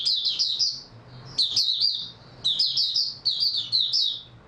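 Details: Recorded 3 March 2022, an oriental white-eye (mata puteh) delivers high, rapid twittering strings of chirps in four close bursts, almost continuous, over a faint low hum.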